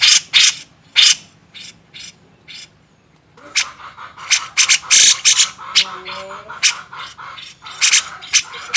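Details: Grey-cheeked bulbul in a master recording for training songbirds: loud, rasping broadband bursts repeated quickly, then a pause with softer clipped notes, before a busier run of harsh chattering notes.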